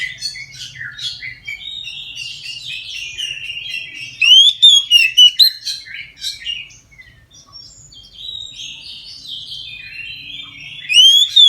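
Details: Oriental magpie-robin singing its full 'ngeplong' song at midday as a lure for other magpie-robins: long soft chattering warble, a loud burst of sharp rising whistles in the middle, and another loud burst at the end.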